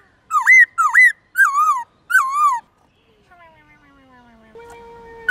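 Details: Black-throated laughingthrush singing morning forest-voice song for young birds to learn: four loud hooked and wavering whistles, then faint distant falling notes and a thin steady tone near the end.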